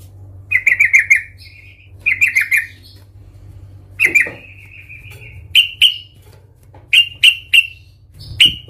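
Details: Sooty-headed bulbul (trucukan) in a raging 'Tarung Garuda' fighting song, used as a lure to provoke other bulbuls. Two bursts of rapid bubbling notes, then sharp single chirps spaced about a second apart, over a low steady hum.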